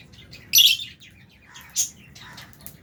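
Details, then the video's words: Lovebirds, albino and Fisher's, in an aviary among budgie parrots while eating food; one loud shrill chirp burst followed by a shorter sharp chirp and faint chatter. "Lovebirds Chirping Sounds"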